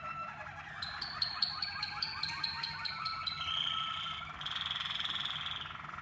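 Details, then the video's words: Canaries of the Waterslager breed in song training. Rapid metallic clicks and bubbling notes repeat about twice a second, then ease into a smooth rolling trill and finish with a loud pulsing whistle. "Modifying variables for the waterslager canaries on their song training."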